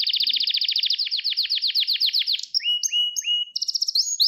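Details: Training song of a Gloster canary, sung to arouse males and instruct young birds: a long even trill of rapid falling notes over two seconds, followed by separate upward-gliding whistles and a brief high flutter.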